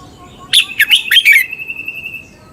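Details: Thai red-whiskered bulbul song used to excite caged birds: a short burst of five fast warbled whistles trailing into a long, faint, level whistled tone.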